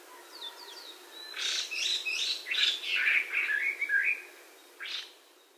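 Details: Hwamei, the Melodious Laughing-thrush, an introduced shy bird of lowland and mountain habitats in Hawai'i, singing a loud, rich run of varied whistled and slurred notes, many falling in pitch, for about three seconds, then one short final phrase after a pause.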